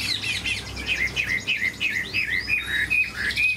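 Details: Caged Chinese hwamei, praised as big-bodied with a fine voice, gives a rapid series of downward-slurred whistled notes, several per second. Some notes are longer and rising, over soft low background noise.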